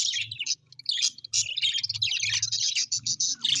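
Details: Happy pet budgerigars give continuous rapid warbling chatter, quick high twittering notes packed closely together, over a faint low background hum.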